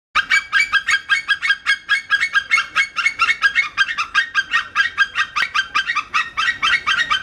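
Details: A captive white-tailed eagle at a zoo in summer 2013 gives a long, steady series of sharp yelping notes, about four each second, with no other clear sounds.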